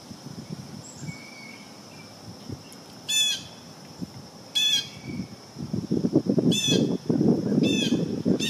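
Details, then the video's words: Blue jay eating peanut suet, giving harsh, buzzy calls about every one to one and a half seconds, four in all. A steady high whine and low rumbling, rustling noise run underneath. "Blue Jay Calls"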